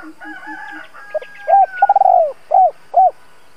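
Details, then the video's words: Decoy spotted dove calling to draw wild doves: a stuttering run of notes leading into a drawn-out coo and two short hoarse coos, with a rooster crowing faintly underneath at the start. "Tiếng chim cu gáy (THÚC - GÁY GỌI) kích bổi hiệu quả"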